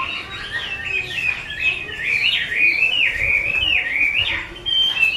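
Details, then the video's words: Chinese hwamei of the mơ variety, caged and owned by a skilled keeper, singing loud swooping whistled phrases, each rising then dropping sharply, strung together in an unbroken, energetic warble. "Họa mi mơ siêu vip bộ cực đẹp, hót cực hay của nghệ nhân"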